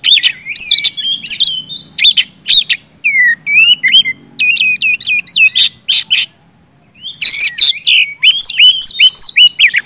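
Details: Oriental magpie-robin in full gacor ngeplong song, played to get quiet birds singing: rapid series of varied whistles, downslurred and upswept notes and sharp chips, with a brief pause midway before the fast phrases resume.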